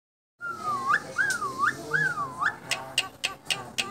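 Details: Contest-champion Asian pied starling in continuous chattering song: three looping whistled notes that dip and rise, each about half a second, then a run of sharp clicking notes.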